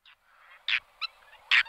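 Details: Whiskered tern calls: a few short, harsh, rasping notes spaced unevenly over under two seconds, with faint broad murmur between them.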